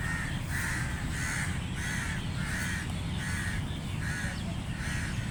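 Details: Crow cawing loudly, a steady run of about eight short harsh caws evenly spaced over five seconds, over a constant low rumbling background noise.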